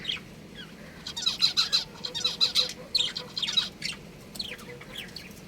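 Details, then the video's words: Two budgerigars, a pet breeding pair, chirping busily: quick runs of thin, high, rhythmic tweets and warbled notes tumble over each other for several seconds before tapering off. "Cute Budgies Chirping Sounds"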